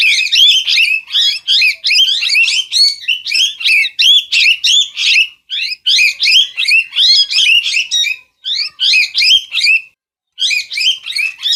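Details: Parrot squawking in steady harsh, scratchy bursts, close to three per second, the sequence broken by short gaps near five, eight and ten seconds; no other noises.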